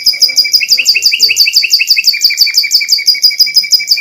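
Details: Canary delivering a steady rhythmic trill of bright chirps, about three per second, evenly paced throughout; a song used to provoke other canaries.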